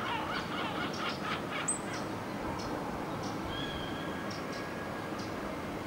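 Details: Red-legged partridge in early morning at Alvor, Algarve, Portugal, giving harsh, chuffing calls in a quick rhythmic burst, over steady wind-like noise with thin high whistles from other birds.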